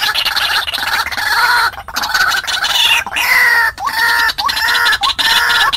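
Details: White-breasted waterhen lure call used to draw wild waterhens into traps: loud, harsh, nasal notes with strong harmonics, many ending in an upward hook, repeated rapidly about one and a half times per second in overlapping bursts.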